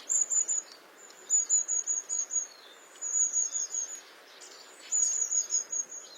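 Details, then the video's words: Long-tailed tit singing: bursts of very high, thin, rapid tsee-tsee notes in quick trilled runs, four separate bursts over about six seconds, with soft background hiss. "Beautiful Singing Long-tailed Tit"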